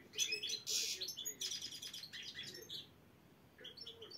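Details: Black-headed European goldfinch singing the chir-chir style at goldfinch qualifying rounds in Saint Petersburg; bursts of bright, fast twittering and rattling trills, a pause near the end, then the twitter resumes, with a faint low hum underneath.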